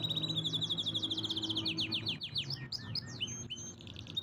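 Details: Canary singing strongly: a rapid even trill slides into a run of sharp, downward-sweeping notes and scattered chips, with a low steady hum in the background.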